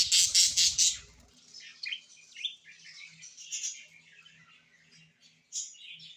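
A parrot gives a burst of loud, harsh squawks, then softer chattering chirps.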